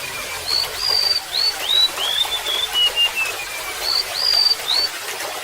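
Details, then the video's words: Sweet high whistles from a golden-bellied gerygone, upslurred notes followed by a slow descending run of thinner notes, then the phrase restarting, over steady trickling water. "SUARA BURUNG REMETUK LAUT"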